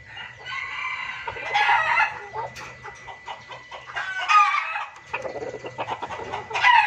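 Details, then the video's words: Junglefowl used as a lure call (pikat/masteran), clucking and cackling in rough, harmonic bursts, several overlapping calls every couple of seconds against a faint background hum. "suara pikat dan masteran ayam hutan ribut"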